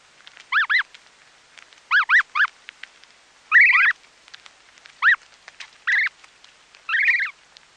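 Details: Snow goose chicks calling up close while feeding: high arched peeps in pairs and short bursts, some slurred longer notes, repeated irregularly about every second, with soft snapping of grass being pulled out between calls.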